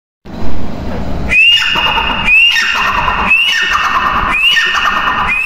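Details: Grey francolin calling: loud, shrill whistled notes, each opening with a sharp high note and sliding down in a falling tail, repeated roughly once a second in a steady series over a low background rumble.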